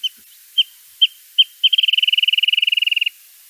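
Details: Wrentit on California's Central Coast sings a high, clear bouncing-ball song: five separate piping notes that speed up, then break into a fast, even trill lasting over a second; a second bird may join in.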